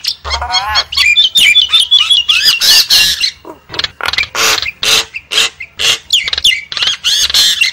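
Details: Javan myna lure call: a rapid run of harsh, noisy squawks mixed with wavering whistled notes and clicks, about three bursts per second, loud and uneven in rhythm.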